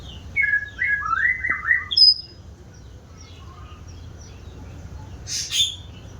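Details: White-rumped shama singing clear sliding whistles that rise and fall, followed by quieter soft notes and a brief harsh high burst near the end.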